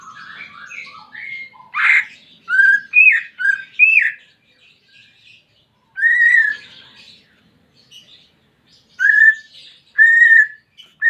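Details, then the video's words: Greater green leafbird singing in therapy audio for a caged bird that has stopped singing: a fast jumble of chirps and upslurred whistles, then spaced pure whistled notes with quiet chatter between them. "Terapi Cucak Ijo Malas Bunyi"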